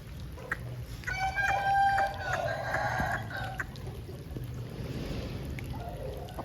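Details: Aseel rooster crowing after rain: a strained, harmonically rich crow lasting about two seconds, rising then holding and fading, over steady low rumbling background noise with a few faint clucks afterward.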